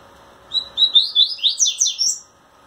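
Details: Wing-trembling Double-collared seedeater courting a female in a cage gives a lively phrase of about nine quick, high, chirping whistles that climb and twist, lasting nearly two seconds in a quiet room.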